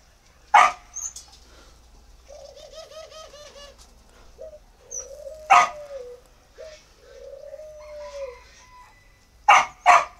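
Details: Spotted dove from northern Vietnam at a bird-breeding farm in Ba Vì gives low, soft coos: a quick run of pulsed notes, then longer drawn-out coos. Loud, sharp dog barks break in at the start, middle and end.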